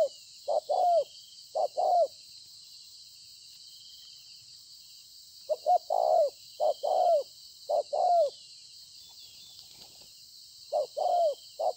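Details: Bổi spotted dove recorded 26 September 2020 in bursts of cooing: short notes each followed by a falling coo, in runs separated by a long silent pause, with a constant faint hiss.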